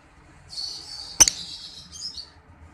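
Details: Ngekek trill of a lovebird, captured as master audio for teaching pet birds: a shrill, fast rattling trill held for over a second, crossed by a loud click midway and trailing into a short, fainter chatter.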